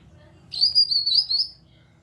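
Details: Grey-cheeked bulbul calling to provoke other birds to sing, giving a single high, clear whistled phrase that wavers up and down over about one second above a low background hum.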